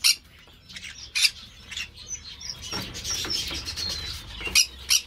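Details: Green-cheeked parakeet at an amateur breeder's aviary, loud rasping squawks at the start, then a run of softer scratchy chatter and a couple of sharp harsh calls at the close.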